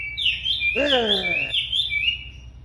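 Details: Tame racket-tailed treepie singing actively, giving clear whistled notes that rise and fall, overlapped midway by a lower voice with sliding, buzzy harmonic tones.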